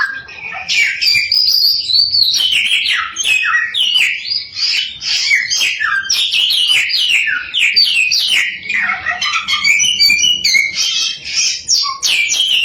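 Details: Chinese hwamei (samyong) in long, relentless lure song meant to spur other samyong into song: high, rapid strings of varied whistles, slurs and chirps, barely pausing.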